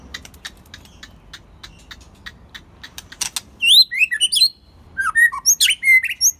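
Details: First-molt white-rumped shama singing on a quiet evening: a run of soft clicks and ticks, then loud, clear whistled phrases that swoop up and down.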